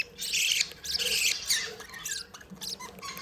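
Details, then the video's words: Budgies, happy and playing, deliver harsh buzzy warble bursts followed by softer chattering chirps. "Happy & Playing Beautiful Budgies sounds"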